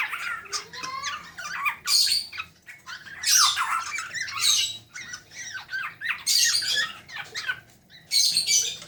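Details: Harsh 'ngeriwik' chatter of young black-naped orioles, kept birds, repeated bursts of rasping squawks and quick downslurred chirps every second or two, continuing throughout.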